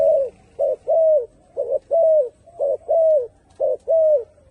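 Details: Turtle dove producing regular two-part coos, a short note leading into a longer falling one, almost exactly once a second.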